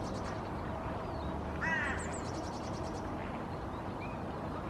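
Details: Hooded Crow female sitting in the nest, vocalizing softly in a nest song: one brief, husky, layered call midway, overlapped by high rapid chirping trills of small birds and steady background noise.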